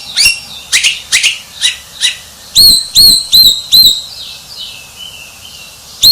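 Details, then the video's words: White-rumped shama giving a series of sharp high chips, then four loud ringing whistled notes evenly repeated, and a faint warble. "Suara Murai Batu Sang Juara"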